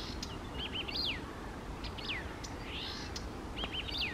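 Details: A Eurasian reed warbler sings at lakes on a fine morning, 28 May 2024: short bursts of chattering notes, each repeated two or three times, with some sharp falling slurs over a steady low rumble.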